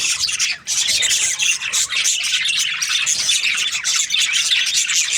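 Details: Breeding-season budgerigars in a noisy group, constant high chattering, squeaky chirps and harsh squawks layered together.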